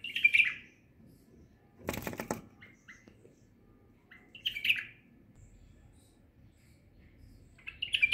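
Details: White-eared bulbul visiting a window gives short, bright chirping phrases about every four seconds, with a brief flutter or thump in between.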